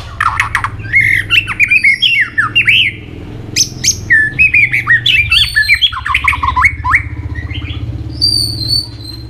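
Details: White-rumped shama in full competitive singing form, pouring out a long string of many varied voices: rich whistled notes, rapid rising and falling slurs and sharp chips follow almost without pause, over a steady low hum.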